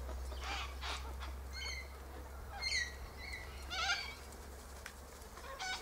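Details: A flock of Sulphur-crested Cockatoos feeding on seeds from pods in a Silky Oak tree. Short grating squawks and rough screeches come in uneven bursts, with some thinner tonal notes between them and a constant low background hum.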